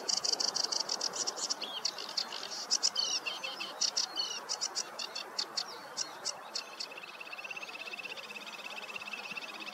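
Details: A sedge warbler in a meadow on a warm morning delivers bursts of loud scratchy high notes and chatters, then shifts to a fast, even buzzing trill for the final few seconds.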